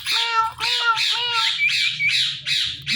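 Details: A male and female pet Indian ringneck (rose-ringed) parakeet pair calling in the morning: harsh, grating, high rasping squawks in quick succession, about two per second, over a faint low hum.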